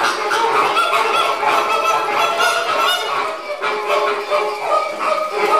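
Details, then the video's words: Caribbean flamingos in a flock while feeding, a loud continuous chorus of overlapping nasal, goose-like honking calls, dense and unbroken throughout. "Feeding Caribbean flamingos"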